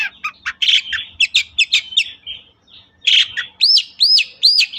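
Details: Long-tailed shrike song used to trigger singing in other shrikes: a jumble of chattering notes and buzzy phrases, a short pause, then three clear arched whistles.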